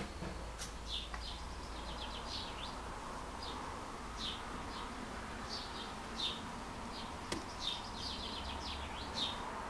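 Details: Swallows searching for a nesting spot at a house: short high chirps and twittering notes in loose bursts, some with quick downward flicks, over a steady low hum and background hiss.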